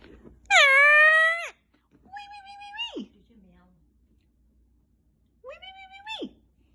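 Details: Captive Indian ringneck parakeet talking playfully indoors, an older recording; a loud, bright, strained utterance, then two shorter voiced phrases that each hold level and then plunge steeply, separated by quiet pauses.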